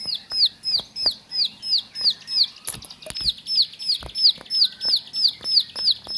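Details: Bar-winged prinia kept as a household bird singing a fast, regular series of high, downward-sliding chirps, about three per second, with faint clicks and a brief scuffing noise.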